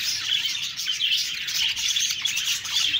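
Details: Budgerigars chatter briefly in a dense burst of high twittering and warbled chirps, several birds calling at once.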